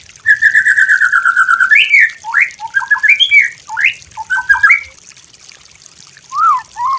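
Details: White-rumped shama master song for training: a long run of rapid even notes near one pitch, then a string of sharp whistled upslurs and short varied phrases, with a falling-rising couplet near the end.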